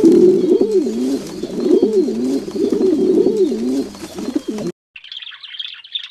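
A dove gives a rapid run of low, rolling coos that rise and dip for under five seconds. A brief burst of high chirping follows.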